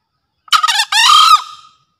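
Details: Green junglefowl in breeding condition, used as a master bird for luring wild junglefowl; a single hoarse two-part crow, a brief rasping note then a longer harsh note trailing off, in silence.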